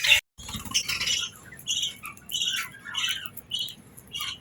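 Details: Budgerigars kept indoors during a morning feed and bath; a sharp click, then soft, scattered squeaks and chirps at varied pitches, fairly quiet and irregular.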